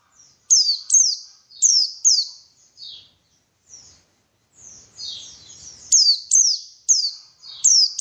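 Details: White-eye song played to stimulate vigorous singing: loud, high, downslurred chirps in pairs, a quieter twittering stretch, then more rapid sharp notes.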